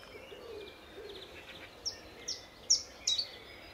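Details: Common chiffchaff singing in early morning at Standalone Farm, Letchworth, in March 2014, flicking about while preening: four sharp, high, downward-sweeping notes at uneven intervals over a murmur of distant birds and faint low cooing.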